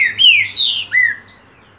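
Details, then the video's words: Green-winged saltator, or trinca-ferro, giving its paulada song: three loud, rich whistles in quick succession, each sliding downward, followed by brief, higher overtone-like notes and then quiet. "TRINCA FERRO PAULADA"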